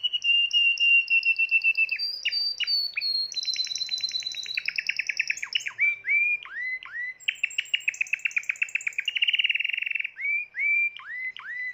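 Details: Timbrado canary, seventh bird of its keeper's 2020 stock, in a long varied song of fast trills, sustained whistled rolls, quick rising chirps and repeated downward-swooping notes.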